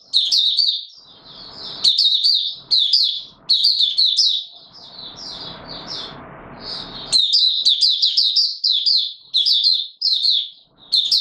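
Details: White-eye, called Mata Puteh Raja, in open song in warm humid weather on 20 March 2022: rapid high twittering phrases with quick up-and-down slurred notes, broken by short pauses and a stretch of low rustling.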